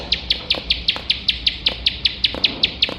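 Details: Bar-winged prinia used as song-training material for contest birds, giving short piercing chips in a fast regular series, roughly five per second, over quiet low noise.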